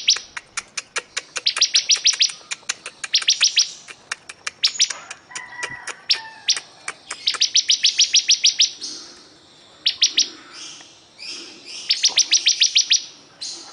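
A bar-winged prinia sings high, sharp chips in quick succession, broken by fast, buzzy trilled bursts that come in repeated runs.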